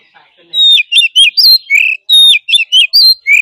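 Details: Oriental magpie-robin with forest-style training song for caged birds: a whistled phrase of gliding notes and chips, repeated twice in a row, clear and loud.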